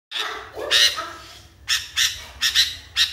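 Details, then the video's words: Sooty-headed bulbul, called kutilang, described as furiously agitated; harsh, scratchy bursts of chattering notes, a rough burst near the start and then shorter clipped outbursts toward the end, with quiet pauses between. "KUTILANG NGAMUK PARAH"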